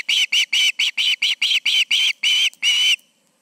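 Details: At an osprey nest on an August evening, with two birds present, loud high whistled chirps come in an even series, the last notes drawn out longer and more slurred.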